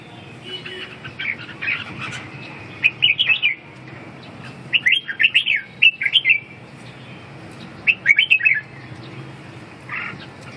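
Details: Red-whiskered bulbul delivering several separate rollicking whistled phrases, each about a second long and spaced a few seconds apart, over a constant low hum.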